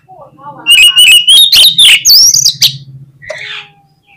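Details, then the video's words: Kacer, the oriental magpie-robin, pours out a loud gacor phrase of rapid, piercing whistles that climb to a bright high slur, over a steady low hum, then ends with a short softer note. "SUARA KACER GACOR"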